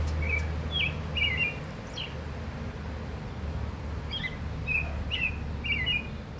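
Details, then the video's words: Oriole song of short, bright whistled notes in two loose clusters, some slurred downward, repeated several times over a persistent low hum of background noise. "Oriole Singing"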